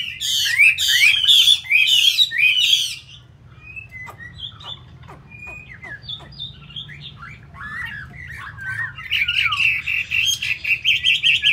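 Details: Caged Chinese hwamei from Hanoi, Vietnam, kept as a fighting bird: harsh, loud warbled bursts open, a quieter patch of scattered clicks follows, then vigorous repeated whistled phrases return.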